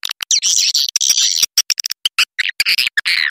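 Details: Edible-nest swiftlet lure call meant to draw birds in to roost: sharp dry clicks broken by bursts of high, buzzy chattering twitters, with short gaps between bursts.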